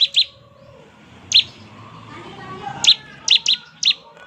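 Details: Bar-winged prinia giving the 'ngebren' song meant to make other prinias answer: scattered sharp, high chip notes, single or paired, spaced irregularly over a quiet, slightly murmuring background.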